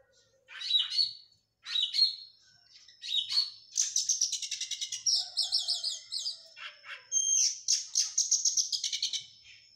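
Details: Oriental magpie-robin singing during post-moult training: a few separated sharp chirps, then dense chattering phrases, looping slurred notes and a thin sustained whistle running through the rapid, energetic song.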